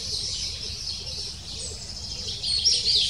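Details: Brief burst of excited, high-pitched chick begging from a lesser spotted woodpecker nest as the female arrives with food, calls quickening and growing louder at the end.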